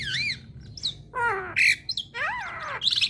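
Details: Female Javan myna singing to provoke a response from other mynas: varied whistled notes rising and falling in arcs, a harsh rasping burst, and thin high squeaks, with a low steady hum underneath.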